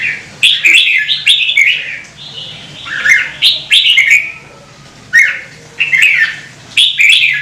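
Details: Red-whiskered bulbul delivering loud, bubbly, warbled phrases in quick sequences of three to four notes. The phrases are separated by short pauses, with crisp ticking knocks over the singing.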